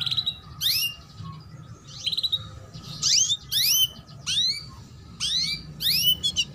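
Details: Female canary chirps, cuit cuit, used as a training lure for juvenile males: a lively series of bright upward-sweeping chirps and short trills, coming faster and denser toward the end.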